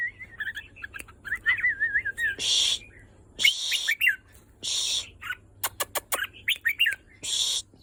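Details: Red-whiskered bulbul delivering wavy, rolling whistled phrases, broken by several loud bursts of harsh hissing noise and a run of sharp clicks.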